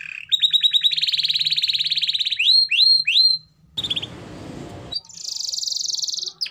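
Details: Canary song used as a lure for canaries reluctant to sing: a rising buzzy note, a long metallic trill and three falling whistles, a short burst of noise, then a high rapid rattle.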